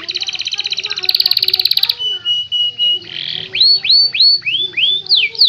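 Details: Canary master song: a fast rattling trill that shifts higher, a brief steady whistle, then a string of upward-curving whistled notes.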